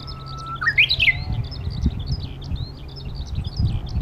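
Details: On 21 March 2015 in spring at Takatsuki, Osaka, a Japanese bush warbler gives one long, steady low whistle, then a quick rising, rolling flourish, with skylark song, thin high chirps and a low rumble behind.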